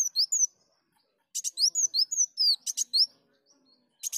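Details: Sunbird song for luring: a few quick high whistles, then a phrase of thin sliding notes alternating up and down, punctuated by sharp buzzy bursts, ending after a short pause with another brief buzz.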